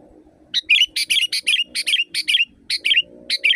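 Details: Loud wild sooty-headed bulbul song used as a training recording for caged birds: a rapid, busy run of many short bubbly notes and warbles in close succession over a steady low hum.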